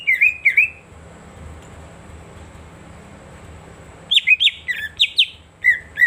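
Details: Green leafbird (cucak ijo) song used to stimulate silent birds: two curling whistles, a long quiet stretch, then a quick cluster of sharp chips and sliding whistles over a low background hum.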